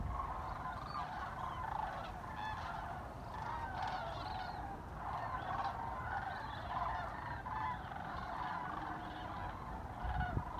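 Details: Large numbers of migrating Sandhill Cranes passing over the Chicago North Shore in December; dense overlapping rattled calls from a flock, some higher trills standing out, over constant low rumble.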